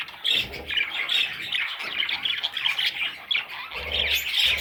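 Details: Budgerigar chicks giving a dense chorus of raspy, high squawks and chirps that overlap without pause, with a few soft low thumps near the start and end.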